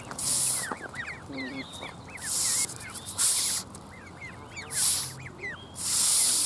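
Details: Canada goose hissing repeatedly: harsh, breathy bursts of roughly half a second, five of them within six seconds, separated by quiet gaps, while small birds chirp and twitter throughout in the background.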